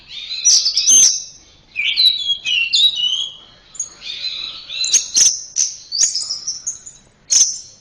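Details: Orange-headed thrush from Indonesia in a tutor recording for pet birds: bright, high whistled phrases mixed with quick chirps and sharp clicks, delivered in short rhythmic bursts.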